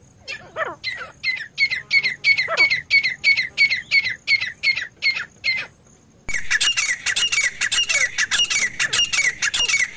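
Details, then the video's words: ['Francolin calling, used as a lure for hunting; harsh squawking notes repeated about three times a second in a steady series, then, after a brief break, a denser and louder burst of overlapping calls.'] "francolin calling"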